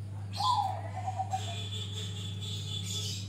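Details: Grey-bellied bulbul (cucak rante) singing with an open bill: a low whistled phrase falling from about one kilohertz, wavering and fading over a second, over steady low hum and faint high chirps.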